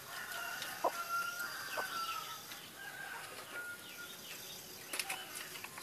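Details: Ayam ketawa (laughing chicken) crowing: a faint, drawn-out series of tonal, slightly wavering notes during the first four seconds, broken by sharp clicks, with steady background hiss throughout.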